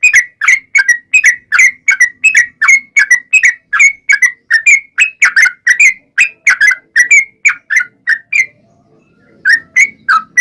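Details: Trucukan lure song to draw replies from other trucukan: long rapid series of chattering whistled notes, dipping and rising, a pause near the end, then two final notes.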